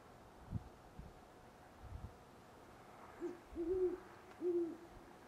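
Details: Great horned owl calling near sunrise on 25 November 2011 in Parker, Colorado: after a few low dull thumps, a series of deep, soft hoots begins, with a short note followed by two longer, level hoots.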